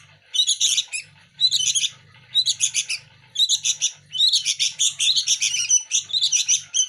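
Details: Sooty-headed bulbul chicks of the local native kind, competing for hand feeding. Their harsh, high chirps come in dense bursts about a second apart, with short silent gaps between them. A faint low hum sits underneath.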